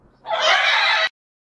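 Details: Captive breeding pair of green-winged macaws, estimated 12 years old, with three eggs laid this summer; one loud, harsh, grating squawk lasting under a second, ending abruptly into silence.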